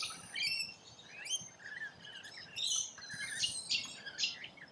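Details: Rainbow lorikeets feeding in Australia, making sharp, shrill squawks and screeches in separate short bursts about every second, with quieter chatter between them.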